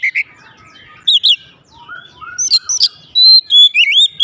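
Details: Home-kept oriental magpie-robin (kacer) answering straight away in loud, continuous gacor singing: varied clear whistled phrases, rising and falling sweeps and sharp chirps in bursts, with short quiet gaps between them.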